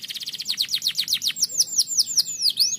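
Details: Canary song from a lure recording for training, of a lively, fast, dense-singing canary: rapid high trills of repeated notes, then a series of quick downward-sweeping whistled notes, continuous and energetic.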